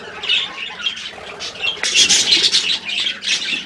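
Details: Pet budgerigars giving rapid harsh squawks and chirps, about three per second, bursting louder midway into a dense chattering flurry.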